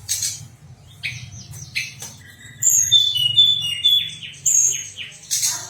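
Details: Pied fantail song from contest-bird training material: a sequence of sweet, slightly descending whistled notes with short high chirps, against a low buzzing hum.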